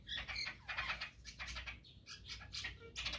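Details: Chestnut-tailed starlings at early morning, sociable group calling in dense grating chatter, broken by a few short whistled squeaks near the end, over steady low background noise.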